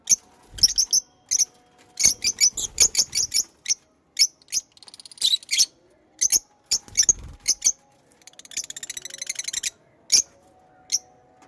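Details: Pet lovebirds chirping: sharp, high, clipped chirps in quick irregular bursts, some doubled, with a stretch of rapid buzzy chatter near the end and a faint low steady hum.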